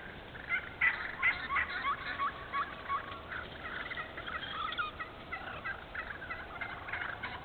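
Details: Wild turkeys in a thinned hardwood stand being opened into hardwood-savanna habitat in Moore County, North Carolina, after logging. Rapid, overlapping harsh yelps and clucks pour out in an uneven stream, several birds calling at once with sharp, raspy notes.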